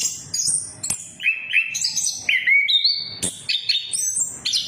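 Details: Orange-headed thrush song played to coax other birds into singing: rapid mix of high short notes, paired lower whistles and upslurs, with a few loud clicks.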